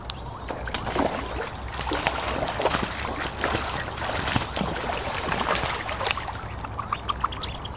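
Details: Ducks (Mandarin ducks, Pekin ducks and mallards) feeding by a park lake as people feed them give scattered nasal quacks among busy splashing and dabbling, with a steady wash of water noise.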